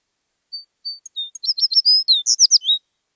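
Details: American tree sparrow song opening with two clear high whistled notes, then a short lower note, before a fast cascade of sweet slurred and warbled notes that drops at the end.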